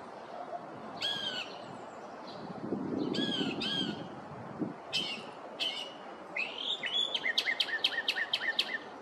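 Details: Northern mockingbird, a male singing its repertoire in a neighborhood one morning: paired harsh notes, a pause with low background rumble, then varied phrases ending in a rapid run of clipped, sharp, repeated chips.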